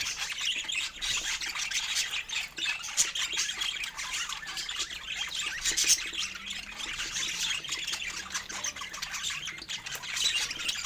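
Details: Several pet budgies feeding on fruit, giving a steady stream of sweet high-pitched chirps, warbles and squawks, overlapping in a constant chattering chorus.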